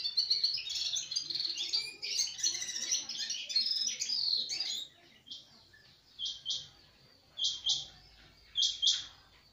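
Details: Sparrow sound begins as a dense, noisy chorus of overlapping chirps for about five seconds, then thins to spaced pairs of sharp chirps repeated every second or so.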